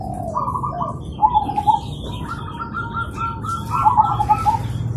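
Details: Zebra doves singing in the morning, answering each other: soft mid-pitched cooing trills in short rolling phrases, one bird after another, over a low background rumble.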